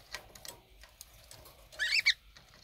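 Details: Conure couple fighting as they bathe in drinking water, 23 February 2019: a grating, buzzy squawk rising and falling, ending in a sharp second note, after light splashing.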